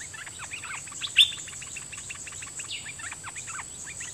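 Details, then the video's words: Decoy bulbul singing at wild birds: dense run of short, quick, rising and falling chirped notes, high-pitched and steady throughout, with one louder sharp note midway over a constant high hiss. "เสียงนกดอกแตงEp.58Birds soundsรวมคลิป นกต่อ ร้อง&ริก!!!ใส่นกป่า merbah lekir gacor"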